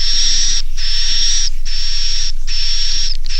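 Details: Roosting call of edible-nest swiftlets, the 'Naga Mas' inap type meant to draw young birds to roost in a swiftlet house: four drawn-out rasping hisses topped by a faint high whistle, separated by short silent gaps.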